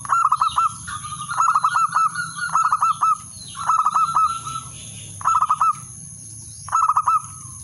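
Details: Male zebra dove calling to challenge a rival: repeated stuttering trilled phrases with a rolling ending, given in bursts about once a second over low background rumble and a steady high hiss.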